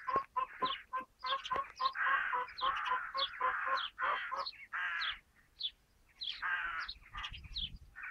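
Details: Sparrows playing in a tree, giving a dense run of short, harsh chirps that come in quick overlapping bursts, several birds calling at once with brief pauses between clusters.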